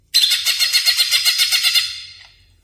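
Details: Greater green leafbird lure sound for caged-bird tutoring: a harsh, buzzy chatter of about fourteen rapid pulses that fades out over two seconds.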